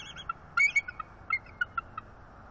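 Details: A pair of wild bald eagles perched on a branch in northeast Florida on a December morning exchange mating vocals. A quick cluster of high, squealing chirps and short whistled notes sounds over a steady hiss.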